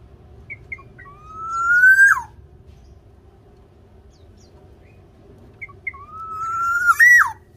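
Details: Black-naped oriole of a local Javanese strain, singing vigorously: two phrases about five seconds apart, each with brief introductory chips and a long rising fluty whistle that ends in an abrupt downward twist, with soft low hum behind.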